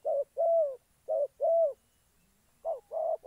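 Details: Spotted dove used as a decoy bird for trapping in Gia Lai, Vietnam, giving low, hollow coos in close pairs, each pair a short note then a longer drawn-out one, three pairs in quick succession over a quiet background.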